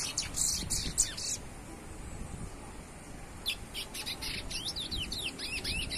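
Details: A young chestnut-bellied seed finch (Sporophila angolensis), kept amid surrounding noise, sings a quick burst of high notes, pauses, then runs into a faster jumble of rising and falling whistles over a low background rumble.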